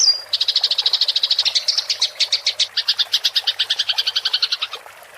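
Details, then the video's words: Eurasian tree sparrow in a fighting-style rolling chatter used for training songbirds: a short thin whistle opens, then a long, even stream of rapid chirps runs for over four seconds before fading. "MASTERAN GEREJA TARUNG NGEROL suara jernih + jeda air"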